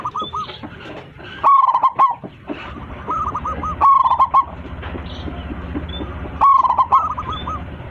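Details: Local zebra dove singing to call its flock, big-voiced: soft looping coo runs alternate with louder, sharply opened rolling phrases, about every two and a half seconds, over a low hum.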